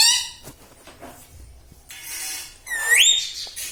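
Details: A pet ring-necked parrot, said to say mummy and papa, is heard indoors. The recording opens with a nasal harmonic tone, then a quiet pause, and ends with a bright rising whistle-like squawk.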